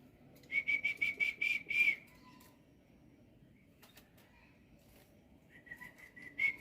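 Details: In the morning a pet black-winged myna gives a rapid string of about seven bright whistled notes, a pause with faint clicks, then another short run of similar whistles.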